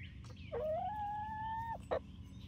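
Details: Young chickens, 19 weeks old, Barred Rocks and Gold Stars, near Iola in Grimes County, Texas: a sustained, slightly rising tonal call of about a second, cut off sharply, then a short clipped note and faint background chirps.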